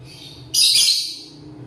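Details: A single abrupt, harsh, screechy chirp lasting about half a second from a lovebird eating corn in the morning, against a quiet low background hum.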